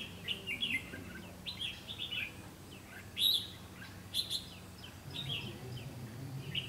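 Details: On 7 June 2016 a decoy red-whiskered bulbul sings at a trap set for wild birds: quick warbled chirps in groups, one loud sharp phrase midway, with low background noise throughout.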